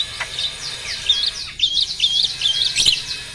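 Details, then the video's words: Male Asian pied starling at breeding peak, pumping while singing: a rapid series of sweeping whistled notes with short flat tones, delivered in a steady chattering stream. "BURUNG JALAK GACOR MOMPA-MOMPA!!! JANTAN TULEN."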